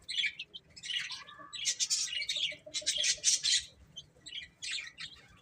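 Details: Baby chickens eating and playing; shrill high peeps come in bunches, with a lower, softer trill in between and gentle background rustle.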